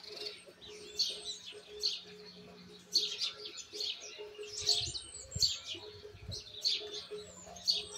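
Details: Young Argentine white goldfinch still refining its song. It repeats sharp, high chip-trill phrases roughly every second against a hissy, humming background with low rumbles.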